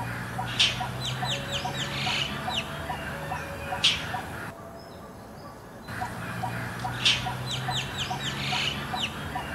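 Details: Harsh scolding calls of an Indochinese roller, noisy in a Bangkok park (Suan Rot Fai, Thailand) as it moves perch to perch: three rough bursts about three seconds apart, each trailed by rapid falling chirps, with a steady low background hum.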